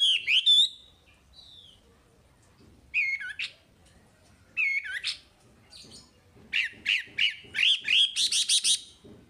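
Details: Chinese hwamei song used as a training recording for young caged birds: loud whistled phrases in bursts, swooping notes, then a rapid run of sharp repeated notes near the end, with quiet gaps between phrases.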